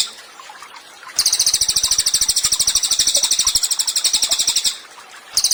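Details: Vigorous cililin song meant for tutoring caged songbirds: after a quiet start, a long, very fast, high, chattering trill of evenly repeated notes, ending briefly before restarting at the close.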